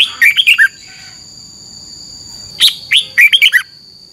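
A red-whiskered bulbul gives two bubbly bursts of quick, liquid whistled notes about two seconds apart, over a steady thin high-pitched whine.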